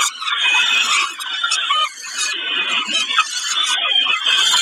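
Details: Peregrine falcons at Kawęczyn, dated 20 05 22, call during a snack with a continuous, rasping, whining squeal that rises and falls slightly in strength.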